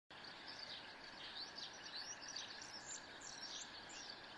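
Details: Red-rumped swallows on Mt. Varnous, Greece, 21 May 2018: a busy, overlapping stream of short twittering chirps and thin high notes, with steady background hiss.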